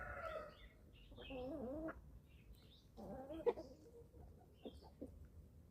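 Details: On a small farm in Germany, eleven-week-old chicks at feeding time give two drawn, wavering harmonic calls, each under a second, plus a few short clucks and faint high chirps, against quiet rustling.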